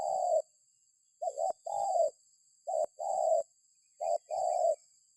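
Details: Spotted dove coos played as a lure so other birds join in calling. A quick dipping note leads into a drawn-out even coo, and the phrase repeats several times. A thin, continuous high-pitched tone sits in the background.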